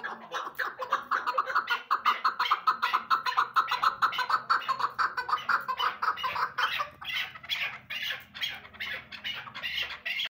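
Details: Female chukar partridge giving a rapid series of harsh, clucking calls around two per second, building into a dense chattering run, with a faint low background hum.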